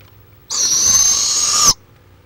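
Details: Barred owl in Florida: a single harsh, hissing screech lasting just over a second, steady and high-pitched with a faint lower tone beneath, set against a quiet background.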